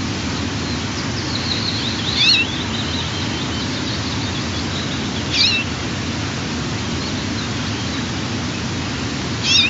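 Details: Morning mealtime at a White-tailed eagle nest on 4 June 2023, with eaglets 12 and 14 days old. Three thin, sharp squealing cheeps come about every three seconds over a constant rushing hiss, with faint songbirds in the distance.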